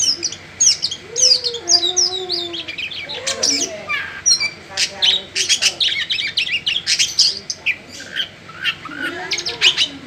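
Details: Oriental magpie-robin song meant for playing near other magpie-robins to prompt them to sing. A busy stream of rapid chirps, twitters and sharp whistles over a steady low background hum, with a few lower slurred notes.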